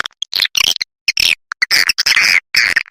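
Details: Swiftlet lure call of the 'SP Mama Mudah' style, used to attract swiftlets: bursts of harsh, buzzy twittering chirps in short clusters separated by brief silences, loud and high-pitched, with no other sounds.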